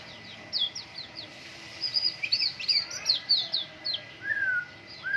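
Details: Caged white-rumped shama singing in full voice during morning dew airing: quick runs of high whistled notes and short slurred phrases in bursts, ending with lower drawn-out whistles, over faint steady background noise.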